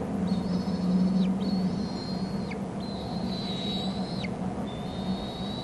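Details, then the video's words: Eaglets in a bald eagle nest on Hornby Island, an adult bringing food: a run of four or five high, drawn-out whistles, several ending in abrupt downward slurs, against constant low background rumble. "adult to the nest with food; churbles not all that interested"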